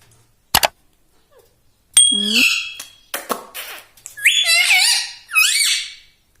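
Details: Pet parrot talking indoors: after two short clicks, a thin steady whistle and hoarse speech-like syllables, then bright, rising and falling whistled mimicry toward the end.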